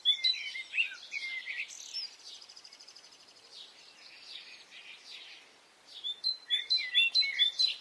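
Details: Birds singing on a spring morning in Brittany, France: dense high warbling and sharp chirps at the start, a softer rapid trill through the middle, then louder bursts of quick, bright chirping notes near the end.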